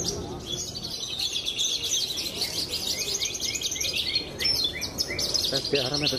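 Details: Caged pied Javan bush lark, a celebrated contest winner, pouring out a long continuous high twittering song with sharp chirps and quick slurred notes, a brief low sound near the end.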